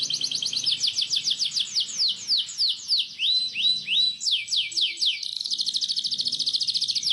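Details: Canary's long rolling song for young canaries to copy: rapid descending whistles, a few rising swoops in the middle, then a dense fast high trill at the end.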